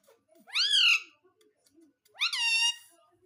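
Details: Two loud, drawn-out nasal calls from a pet parrot indoors, each rising sharply then arching down, separated by about a second of near silence with faint soft sounds.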